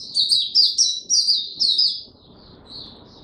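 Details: Oriental white-eye singing tiong aw style, 25 January 2022, after sleeping late the night before: a burst of loud, high, falling chirps, about two per second, fading into faint soft notes over light background hiss.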